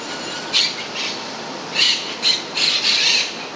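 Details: Introduced monk parakeets in Puerto Rico give rough, grating squawks in irregular bursts, several close together near the end, over a hissy background.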